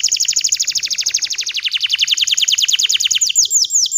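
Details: Green canary (bottle-green variety) singing, used as a tutor for young canaries learning to sing: a long, rapid trill of high repeated notes, about three per second per beat, steady and loud, shifting near the end into slower rising whistled notes.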